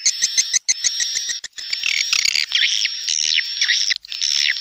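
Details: Edible-nest swiftlet dusk lure sound: evenly pulsed chips repeated several times a second, giving way to rolling buzzy, swooping twitters, with a thin continuous high whine throughout.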